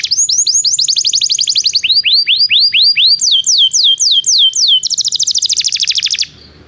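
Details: Belgian canary song, used for training non-singing canaries: a rapid run of rising whistled tours that switch every second or so, from fast trills to slower swooping notes, ending in a dense buzzy roll.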